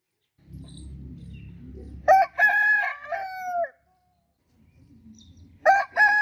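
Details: Rooster crowing: a loud harmonic crow with a short opening note, a long held middle and a falling end, followed by the start of another crow; faint low rumble before it.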